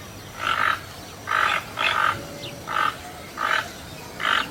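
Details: Toucan giving harsh, croaking notes in a steady series, six calls spaced roughly every 0.7 seconds, each a short hoarse burst with quiet gaps between, over faint background hiss.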